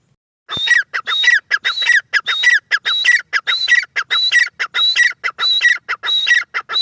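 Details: Loud, strident call series from a female grey francolin: harsh, ringing notes with a sharp whistled overtone, repeated in quick regular bursts of about one and a half per second throughout, on a quiet background.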